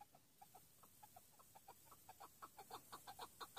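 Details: Chukar partridge calling in a brisk, rhythmic run of short chuck notes, about two per second, starting soft and growing louder and denser toward the end over a faint hiss.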